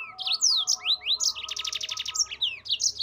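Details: Yellow-fronted canary (mozambik) song used as training material for cage birds, a lively run of high whistled slurs and swooping notes around a fast, even trill in the middle.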